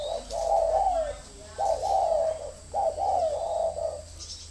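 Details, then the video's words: Spotted dove decoy from a Ba Vì farm near Hanoi, Vietnam: three clear, mellow coo phrases a little over a second apart, each a brief note sliding into a longer falling one, in a quiet setting. "Thổ mổ còi - Còi coi thường Thổ"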